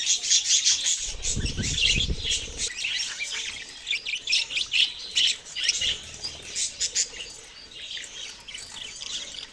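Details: Budgerigars chirping together in a dense, busy flock chorus of high twittering notes and short warbles. Low thumping noises break in between about one and three seconds.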